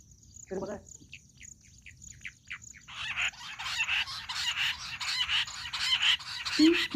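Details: Jungle bush quail, sound used for hunting: a soft thump, a string of short descending chirps, then a rapid, loud, rhythmic chorus of harsh notes. A steady high whine continues in the background.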